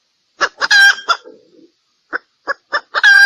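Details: Red junglefowl hen calling for males, a lure for junglefowl decoying: clucks and a strained harsh cackle trail off into a soft low murmur, then four spaced clucks build into another loud cackle.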